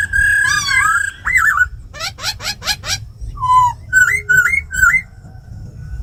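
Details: Forest-style laughingthrush song from a tame bird, with female calls, to excite other birds: a wavering whistle, twisting slurs, five fast upswept notes, a low falling whistle, then three short rising-falling whistled phrases.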